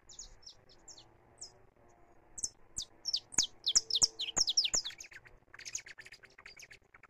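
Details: Free saffron finch, live recording: high chirps gather pace, peak in a loud run of sharp downslurred notes around the middle, then trail off more softly.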